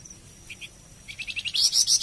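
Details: Flamboyan bird song for teaching and prompting captive birds. Two faint notes, then an accelerating series of chirps that grows into loud, shrill, repeated high notes continuing to the end.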